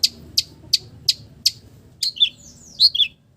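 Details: Long-tailed shrike singing a melodious song laced with imitations of village birds: five sharp high ticks about every 0.35 seconds, then slurred, falling two-note whistles.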